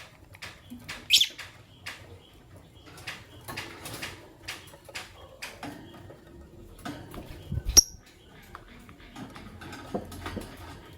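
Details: Morning chirping from Fischer's lovebirds, one white albino and one pastel green: quick bursts of sharp, clicking chips and short squeaks scattered over eleven seconds, two harsher shrieks standing out, with faint indoor rustling beneath.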